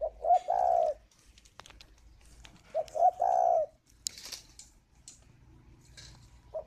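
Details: Captive spotted dove cooing while incubating at a bird farm in Ba Vì, Hanoi, Vietnam; two loud, mellow three-part coos, short notes leading into a long drawn-out final note, about two seconds apart, with faint clicks between.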